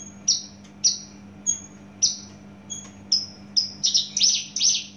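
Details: Javan bush lark from Java uttering a series of short, high, downward-sliding whistles, at first evenly spaced and then quickening into a tighter run of brighter, buzzier notes near the end, with low hum behind.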